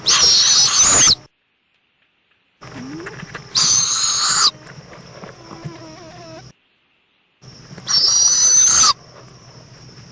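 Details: Owl at a nest in Indiantown, Florida, at 7:20 pm on 11 February 2014, as the mother returns with a bug for her chick: three harsh, hissing screeches about a second long, separated by gaps, with faint rustling between.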